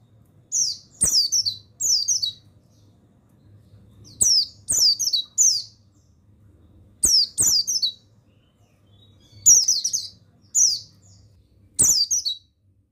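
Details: Male mountain white-eye of the buxtoni form, recorded to train and provoke other birds into singing: high, sweet twittering phrases in groups of two or three, spaced irregularly over thirteen seconds, with faint clicks and low hum.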